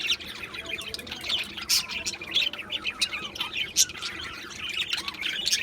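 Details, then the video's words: Aviary of budgerigars, 11 July 2025: steady soft chattering from the colony, broken by a few loud, sharp chirps. "Budgies Chirping sounds"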